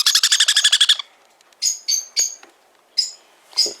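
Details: A sun conure chick, newly delivered that day and kept with other young parrots, gives a fast burst of about ten harsh, raspy notes in one second, then several separate high, scratchy chirps.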